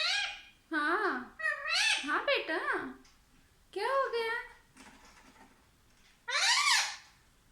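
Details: Mitthu the talking parrot runs several speech-like syllables together in a rapid wavering phrase, pauses, then adds two more bursts, the last rising and falling.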